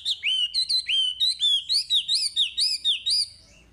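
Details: Chinese hwamei in prolific 'gacor' song, used as a lure to train untrained caged hwamei: loud, clear whistled phrases of rising, looping notes, repeated about twice per second in a steady run, then stopping.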